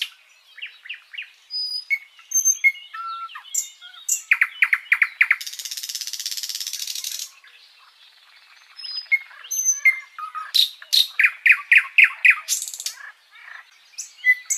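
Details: Sikatan londo flycatcher, kept as a master bird for tutoring songbirds. Rapid clipped chirps in bursts, a harsh hissing rattle lasting about two seconds, then more quick repeated sharp notes.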